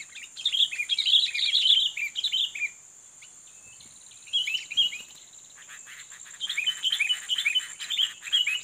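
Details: Sooty-headed bulbul, a fighting male used to lure and challenge a rival, sings bursts of rapid, chattering, bubbly notes in two phrases separated by a quieter pause, over a steady high insect-like hiss.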